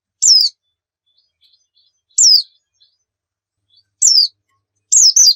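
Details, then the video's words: Javan white-eye (pleci) lure recording for prompting caged birds to sing: four separate high, thin descending chirps spaced about two seconds apart, the last one doubled, over an otherwise silent background. "Pancingan PLECI Bikin Cepat GACOR"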